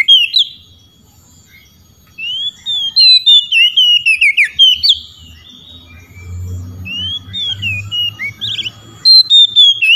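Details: Loud whistled song of an Oriental magpie-robin calling out rival birds, other magpie-robins answering. After a quiet start come fast strings of bright, slurred whistles, some rising steeply, with fainter whistled phrases in between.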